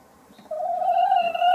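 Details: Sussex hen laying an egg gives one sustained, slightly rising nasal call lasting about a second, rich in harmonics, after a brief quiet moment.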